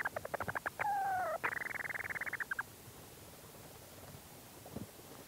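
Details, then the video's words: Close-up recording of a Leach's storm petrel calling from its burrow: a stuttering series of clicks, a long nasal tone, then a fast rattling trill of about fifteen notes, followed by quiet with faint movement sounds. "Leach's Storm Petrel. CU Calls From Bird In Burrow And Movement Sounds."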